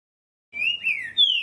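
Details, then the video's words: Green-winged saltator (trinca-ferro) singing the "currucutil boi" song type, a brief phrase of clear, slurred whistles waving up and down, ending on a bright falling note. "TRINCA FERRO CANTO ( CURRUCUTIL BOI )"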